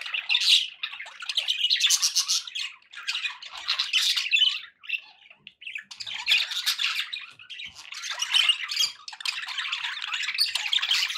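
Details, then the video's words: Pet budgies chattering in bursts, long runs of raspy warbles and squawks separated by short quieter gaps around the middle, then rising again into busy, overlapping calls. "budgie sounds for pet birds"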